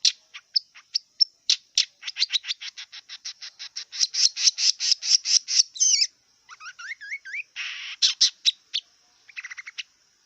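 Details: Wild long-tailed shrike singing: a fast run of sharp ticking notes building into loud repeated chips, then twisting whistled slurs, harsh buzzy bursts and a final stutter, over a steady high thin drone.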